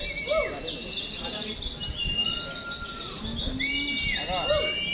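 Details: A group of caged Oriental white-eyes in a simulated competition line-up for song training. Busy, high, rippling chatter runs throughout, with clear sliding whistles and short arched notes below it.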